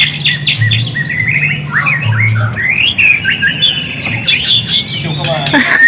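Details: White-rumped shama song played as a lure to provoke silent shamas into responding: a rich, varied run of clear whistles, rising slurs and buzzy trills in quick succession, over a steady low electrical hum.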